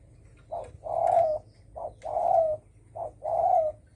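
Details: Spotted dove calling in the đồng thổ sấm style meant to provoke other birds: three low, hoarse coo phrases, each a brief note followed by a longer drawn-out coo, repeated at steady intervals.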